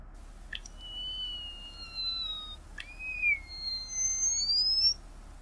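A tricolored munia sings two phrases, each a soft click followed by long, thin, pure whistles that drift slowly down, then glide upward, over a quiet background.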